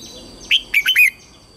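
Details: Red-whiskered bulbul used as a lure bird, singing to call wild bulbuls in to fight: one sharp note, then three quick loud warbled notes swooping between high and middle pitch, clear against quiet background.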